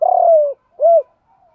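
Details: A captive-training recording of a spotted dove: a long, slightly rattling coo that slides gently down, followed by one rounded, arched coo, then near silence.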